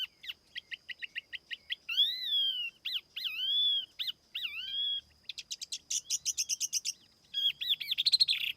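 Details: Tiểu mi laughingthrush song used as a lure, recorded without background noise: a quick run of short high chirps, then several loud slurred whistles rising and falling, followed by rapid buzzy trills and a final burst of sharp notes.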